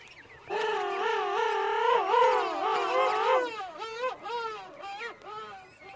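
A penguin gives a loud, nasal, braying call that wavers in pitch, then breaks into shorter notes.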